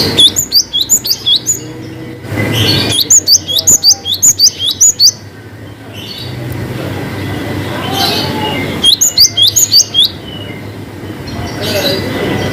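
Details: Cinereous tit in varied long 'wucit' song, a lure for lazy singers: three bursts of quick, high, bending whistles, each lasting about two seconds, separated by stretches of noisy low hum.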